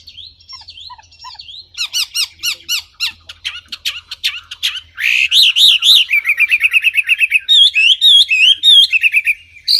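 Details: Wambi singing: soft wavy whistles, a string of sharp ticking notes, then fast loud warbling with looping whistled figures.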